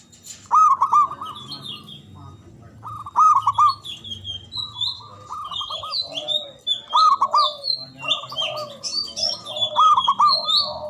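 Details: Loud local Javanese zebra dove song, used to stir silent or lazy doves and draw rivals to answer. Ringing staccato coo phrases repeat every couple of seconds, each a quick rolling series, while thin high chirps from other birds twitter throughout.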